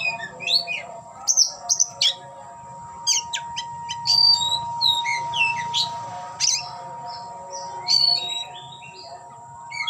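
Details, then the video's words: Displaying oriental magpie-robin, tail opened, performing a rich song of quick downslurred whistles, clicks and harsh squeaky notes, phrases tumbling together over nearly ten seconds against a constant thin whine and background hum. "Kicau‘an Burung Kacer Ngeplay buka ekor"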